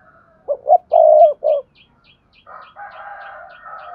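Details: Spotted dove lure call, played to stimulate silent doves to coo: one low four-note cooing phrase, the long middle note loudest, then a hoarse drawn-out sound, over steady quick ticking clicks.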